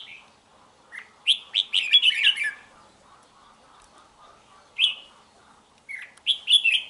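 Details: Red-whiskered bulbul, a wild-origin bird of over two seasons from Hoà Bình, Vietnam, singing in bursts: a short rising note, then a rapid run of bright warbled chirps, a pause, and two more similar phrases.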